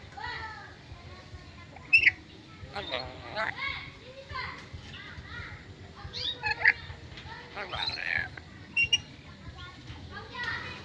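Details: Black-capped lory, a captive Indonesian parrot, talking and mimicking many human words: short voice-like syllables broken by sharp whistled notes and squeaky bursts, with human speech-like chatter throughout.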